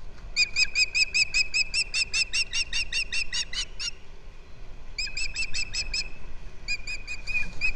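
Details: Wild osprey pair at a rebuilt nest on Captiva in February 2023, male bringing fish to the female; rapid series of high, clear whistled chirps repeated in bursts over a low steady wind rumble.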